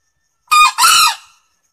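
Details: A male green junglefowl gives one short, hoarse two-part crow of about a second, a raspy first note and then a longer, harsher second note; a lure call for attracting wild junglefowl.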